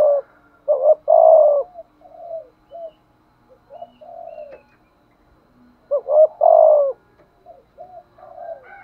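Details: Decoy spotted dove in urging, thúc gù style: a loud rolling triple coo with a long drawn falling note, softer trailing coos, then the same phrase repeated after about five seconds.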